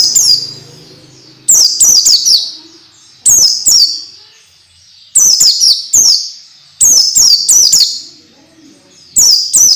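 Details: Masteran training sound for orange-headed thrush (peleci), meant to make raw birds sing fast and often: clusters of three or four piercing downslurred whistles at irregular intervals, quiet gaps between, and a soft low murmur in the background.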